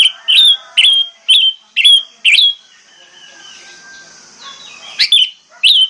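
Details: Played to prompt silent birds to sing, an orange-headed thrush repeats a bright, whistled note with a sharp attack about twice a second, breaks off into a soft murmur, then resumes with a few strong notes; a steady faint hiss continues underneath.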